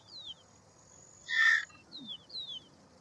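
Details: Indian roller (Coracias benghalensis), Paala-pitta or neelkanth, producing one loud, buzzy, rasping squawk in the middle, with thin sliding whistles of other birds before and after it.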